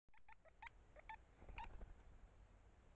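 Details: Great spotted woodpecker at its nest hole, where male and female are busily feeding hatched chicks, giving the calls used for communication between themselves at the hole: about eight short, harsh chipping notes over two seconds, over a low background rumble.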